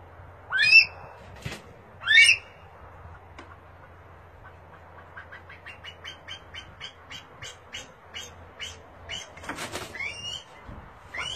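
Two loud, sharply rising whistled calls from a Himalayan monal, followed by a run of quicker, softer high notes over a low steady hum.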